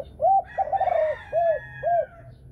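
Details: Spotted dove of Thai strain, described as a female with a choice 'thunder-voice' (thổ sấm) style and two clear closing notes: four low, arched coos, the second drawn out and wavering, with faint higher rooster-like sounds behind.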